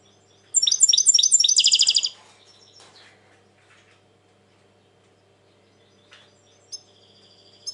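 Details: European goldfinch, said to be very tense lately, singing one loud phrase of quick repeated high twittering notes that blur into a buzzy trill. Faint scattered chirps and near silence follow.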